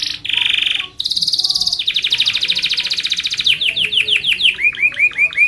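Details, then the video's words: Long, vigorous canary song used to train and lure other canaries: steady buzzy trills at changing pitches, slowing into a series of clear, looping down-slurred whistles. "kenari gacor panjang SUARA BURUNG KENARI ampuh buat MASTERAN KENARI & PANCINGAN KENARI"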